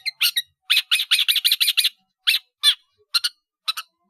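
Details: Energetic caged long-tailed shrike delivering a filler-rich song meant for training caged birds; harsh, chattering notes strung in a quick run, then spaced single scratchy calls.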